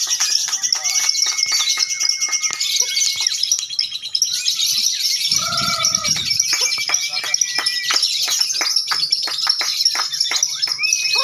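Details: Lovebirds competing in a singing contest, with rapid, unbroken, shrill chatter throughout. Long flat whistles and a short low horn-like sound mid-clip are also heard.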